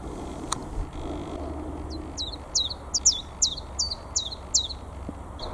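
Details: Spring song of a newly arrived chiffchaff in North East England, 22 March 2022: a steady run of about nine sharp, falling chip-like notes spaced roughly a third of a second apart, faint rumble behind.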